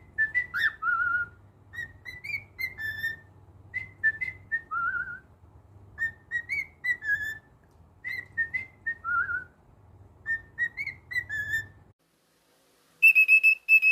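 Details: Pet male cockatiel whistling a repeated melodic phrase, each tune a string of rising and falling clear notes, sung about six times in a row, then a steady high piping whistle at the end; a faint low hum underneath.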